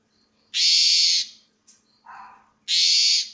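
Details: Asian pied starling singing loudly: two long, harsh, hissing buzzy notes, each about half a second to a second long, separated by a lower, rougher raspy note, with a faint low hum.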